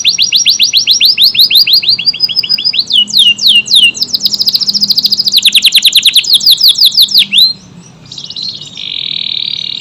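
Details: Canary singing hard, with long rapid trills of steeply falling high notes that change speed and pitch several times, ending in a steady buzzy high tone.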